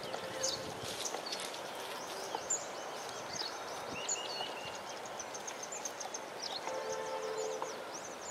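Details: Purple swamphen chicks at the Musi river, Attapur, Hyderabad, India, in January 2012, give thin, very high peeps in quick irregular series over a steady background hiss, with a lower tonal hum now and then.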